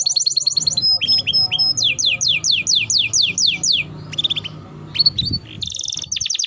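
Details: Timbrado canary melody: a quick high trill, then a series of loud down-slurred whistled notes repeated roughly every third of a second, some scattered chirps, and a closing rolling trill over faint low noise.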